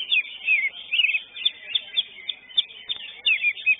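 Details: A greater green leafbird in a singing competition, where it took third place, pours out a fast, high, chattering warble of varied chirps and slurred whistles, barely pausing.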